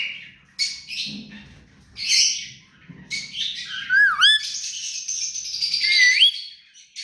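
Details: Hand-tame rose-ringed parakeet giving scratchy squawks, then clear looping whistles that dip and rise, followed by a long buzzy trill ending in a bent whistle, with soft low thumps.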